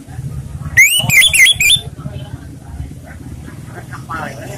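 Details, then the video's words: Orange-headed thrush in easygoing song, used to lure other birds: about one second of fast, sweeping whistles in quick succession, then low murmuring background and faint distant notes. "ANIS MERAH bersuara santai/cocok untuk pancingan"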